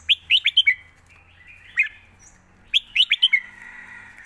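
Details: Master song of a red-whiskered bulbul: crisp clusters of five quick, loud chirped notes, a single note mid-way, then another rapid five-note burst sliding into a sustained warble.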